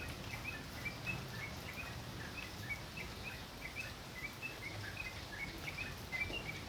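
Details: Tocok singing vigorously, recorded as a training tape for songbirds: a steady stream of short, thin, high chirps repeated several times a second throughout, over a constant low rumbling background noise.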